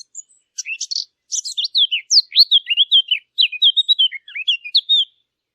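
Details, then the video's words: Chirping birds give a brisk medley: buzzy, high chirps first, then many quick whistled notes sliding downward and upward in close succession for about four seconds. No background noise is heard. "نصف ساعة من صوت العصافير الجميل ، Yarım saat kuş cıvıltısı ، Half an hour of birds chirping"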